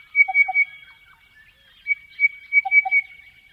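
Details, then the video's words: Crested bellbird in the Australian outback: higher ringing notes in two bursts, each followed by a pair of lower liquid notes, clear against a quiet background. "Crested Bellbird Calls - The sounds of a Crested Bellbird in the Australian outback"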